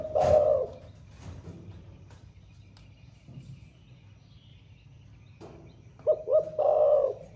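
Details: Caged spotted dove with a thổ pha style voice, said to sing all day: the tail of a low coo opens, then a quiet gap with faint background hum before a full phrase of two short notes and a drawn-out coo.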